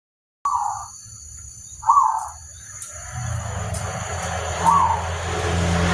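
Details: Local zebra dove song used to lure other zebra doves into answering: a few soft, rolling coos spaced over several seconds, with a steady electronic whine above and a low rumbling background noise in the second half.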